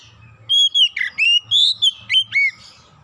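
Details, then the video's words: Oriental magpie-robin song used to lure birds into singing: seven or eight evenly spaced whistled notes, some level, some dipping or rising, steady low hum in the background. "PANCINGAN KACER LANGSUNG GACOR NGEPLONG NGOTOT BONGKAR MATERI ISIAN"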